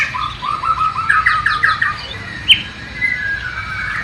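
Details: Bornean white-rumped shama in East Kalimantan, imitating the sikatan londo (nightingale): a fairly soft run of short rising whistled notes, then a single louder sharp note and a thin trailing whistle.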